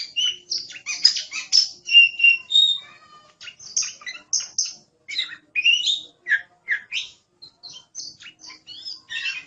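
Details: Oriental magpie-robin in energetic song, short varied notes, sharp whistles and scratchy chirps, delivered about three per second with irregular gaps. Played as tutor song for songbirds.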